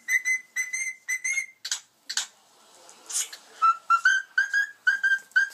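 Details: A pet male cockatiel sings along with a cockatiel on a screen, whistling a run of bright, clear notes, pausing briefly, then resuming with slightly lower repeated whistles.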